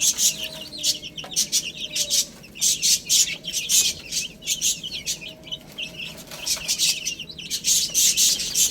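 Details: Feeding chicks with spinach produce near-constant high peeping and brisk, evenly spaced pecking clicks, the chirps dense and overlapping throughout.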